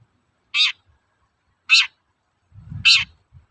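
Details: Long-tailed shrike sounding its toet-toet call, meant to provoke shrikes into song: three rasping, buzzy notes roughly one per second, with a brief low rumble beneath the last one.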